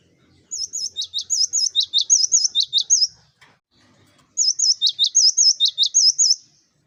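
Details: Cinereous tit (gelatik batu) singing actively, its song used as a master recording to lure flock birds: two bursts of about ten rapid, high, whistled two-note phrases, with a pause of over a second between them.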